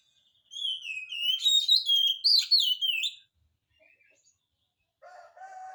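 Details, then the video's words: Oriental magpie-robin song for stirring reluctant birds to sing back: a long rich phrase of fluty whistles, twisting up and down for nearly three seconds, then quiet, then lower buzzy harmonic tones near the end. "kacer gacor, cocok untuk pancingan kacer malas bunyi, jamin 1000% langsung nyaut"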